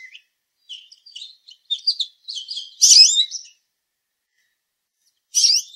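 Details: An American goldfinch calls loudly from a small branch up in a tree in Southern Ontario, Canada, before hopping out: a quick run of high, thin twittering chirps, then a louder buzzy burst and one more after a pause.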